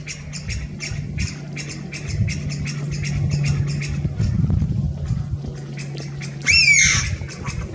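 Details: Ground call of a male Chinese bamboo partridge on a branch roughly 3 m up, 11 March 2023. Quick clipped "pyu pyu" notes from further partridges run throughout, then one loud squealing "pyaa" late on, with a low steady hum.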